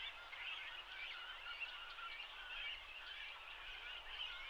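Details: Great cormorant chicks, grown nearly to adult size, begging while parents feed them at a mixed colony shared with grey herons on a riverbed in the Shinetsu region of Japan in late May; a dense, continuous chattering chorus of many overlapping squeaky calls.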